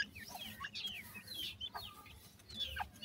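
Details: Grey francolin chicks, several together, giving thin, high, downslurred peeping chirps in quick irregular succession, overlapping one another, over a low background rumble.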